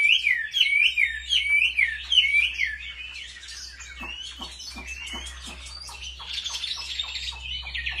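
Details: Home-trained Chinese hwamei in fighting song: bright, looping whistles in quick succession, then softer mixed chatter, over a steady low hum.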